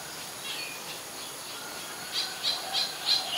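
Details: Ashy woodswallow recorded in Ubon Ratchathani, Thailand, on 25 February 2022: a faint murmur of background notes, then a run of short, harsh notes about every third of a second near the end.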